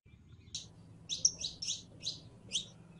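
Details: Calling for a mate, a female canary in heat gives soft, buzzy, high chirps, single and doubled, spaced roughly half a second apart against quiet low background noise.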